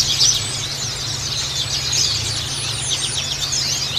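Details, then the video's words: Oriental white-eye colony in full chorus, many birds giving high, fast, squeaky twitters and sweeping chirps without pause, over a faint low-pitched hum. "SUARA KOLONI BURUNG PLECI /KACAMATA"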